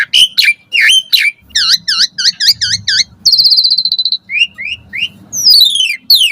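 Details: Asian pied starling morning song for training caged birds: a series of repeated V-shaped whistled notes, a sustained buzzy trill, then rising chirps and fast descending sweeps.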